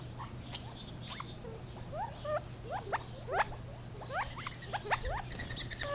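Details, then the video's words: Gambel's quail calling in irregular groups of quick rising chirps that build in the middle, with some higher thin notes and a low steady hum. "Funny Sounds of the Gambels Quail"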